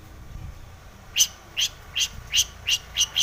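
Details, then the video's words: Long-tailed shrike in vigorous full song, used as a lure to provoke other shrikes into singing; after a quiet second, harsh high notes repeat steadily, about seven in two seconds. "SUARA cendet gacor full isian pancingan cendet agar bunyi"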